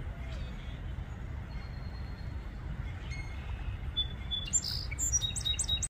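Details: A Song Sparrow sings in Farmington, Connecticut: faint, thin whistled notes, then a louder burst of bright chips and a quick jumbled trill at the end, over steady low rumble.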